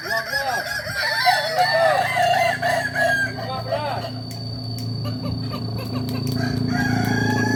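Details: Kukuak Balenggek rooster crowing at a training session for this Solok, West Sumatra ornamental breed. A long run of stepped, arching syllables lasts about four seconds, followed by steady background hum and faint crows.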